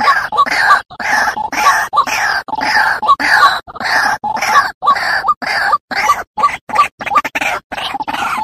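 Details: White-breasted waterhen calls, used as a lure for waterhens: harsh, grunting croaks repeated rapidly, roughly twice a second, in a continuous rough chorus with brief gaps between notes.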